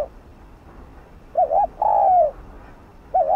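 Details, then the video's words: Spotted dove of village farmland giving a lure coo to attract wild doves: a brief doubled note then a sustained drawn-out coo, with another coo starting at the end, over a quiet background. "Cu gáy kích bổi nhanh nổi/cu gáy Gù,Thúc kích mồi/Kích bổi mau gáy,kích chim rừng mau về"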